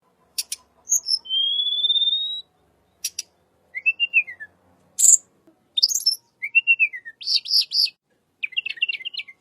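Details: Wild tledekan, recorded as a calm-sounding lure song: a long, steady, slightly rising whistle, then arched whistled slurs and quick clusters of high chips and trills separated by brief pauses.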